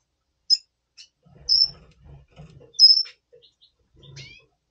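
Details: Double pastel red siskin before breeding, November 2023, giving a few isolated high notes: sharp chips, a drawn-out whistle and a rising slurred call, separated by silence.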